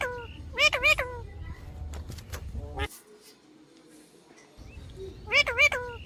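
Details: Parrot saying a short nasal two-note word at the start and again near the end, over a steady low background rumble and faint clicks.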